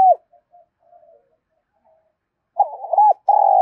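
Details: Spotted dove kept as a decoy to lure wild doves and train them to coo: a short coo, faint soft murmurs, then a burst of rolling coos and a long steady hollow note.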